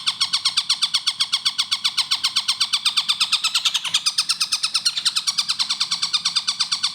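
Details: Long-tailed shrike, known locally as tengkek buto, in a clear, fast-paced training recording for cage birds: harsh, buzzy notes rich in overtones, each bending downward, repeated rapidly about six times a second without pause, over a faint low hum.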